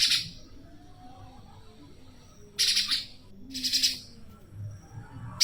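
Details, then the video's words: Fierce-voiced tame spiderhunter outdoors, used as master song for songbirds: three rough, buzzy bursts of quick pulsed notes at irregular intervals, with faint low background rumble. "Burung pijantung jinak outdoran si suara sangar"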